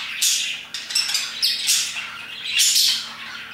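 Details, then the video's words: Several parakeets chirping in the afternoon around 2pm, harsh high chirps and squawks arriving in three loud surges, with softer chatter between them. "Parakeets chirping and singing their hearts out"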